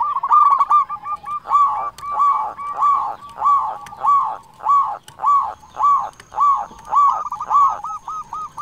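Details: Vocal local zebra dove whose song serves as a tutor and lure for quiet doves: a steady series of rounded, hooked coos repeated about every 0.7 seconds for the whole stretch, with a faint high steady tone behind.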